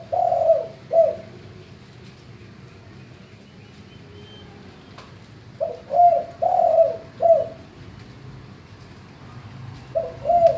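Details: Male spotted dove singing in the deep 'gembur' (bongor) voice style, used as a lure so other doves join in; soft, low, hollow coos in short bursts: a pair at the start, four in quick succession midway, then another pair near the end.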